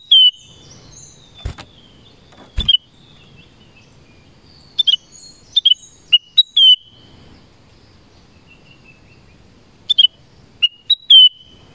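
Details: Forest recording of a black-crested bulbul: a series of short liquid whistled phrases and chirps separated by pauses, with a few sharp clicks and little background noise.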